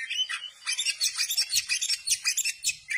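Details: Oriental magpie-robin, tail open, giving a rapid, dense stream of scratchy chirps and chips, pulsing in quick bursts, with faint low thumps beneath.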